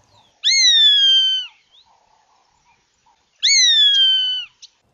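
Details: A Lizard Buzzard in southern Africa gives two drawn-out, high whistled notes about three seconds apart, each sharply rising then slowly sliding down, with faint background chirps.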